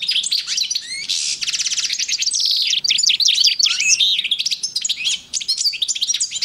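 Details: Male European goldfinch kept as a pair with a female canary, recorded in 2012; continuous high, rapid twittering song with trills, buzzy rattles and quick sliding whistles, almost without pause.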